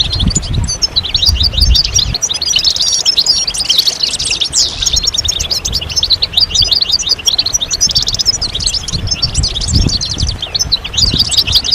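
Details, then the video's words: Many goldfinches twitter at once in calls meant to set males singing. A steady stream of quick, squeaky chirps and buzzy trills continues for nearly twelve seconds over low rumbling noise. "بتبتة الحسون أفضل البتبتات الجماعية stimulation de chant chardonneret"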